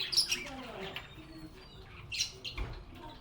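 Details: Happy budgerigars chirping: a few piercing high chirps and a soft warble at the start, a quieter middle, then another sharp chirp burst.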